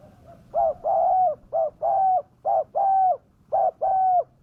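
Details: Spotted dove calling, used as a fierce lure to bring wild doves down: low hooted coos in pairs, a short note then a longer level one, repeated about once a second, with a faint low hum behind.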